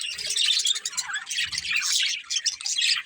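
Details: Budgerigars, a pet breeding pair, chatter in quick bursts of high chirps and warbling trills, rising and falling in loudness every second or so, with soft low thumps.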